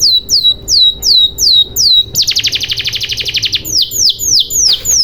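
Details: Canary singing to coax silent canaries into song, opening with evenly spaced falling whistles, switching to a rapid buzzy trill of about thirty pulses, then returning to slurred descending whistles.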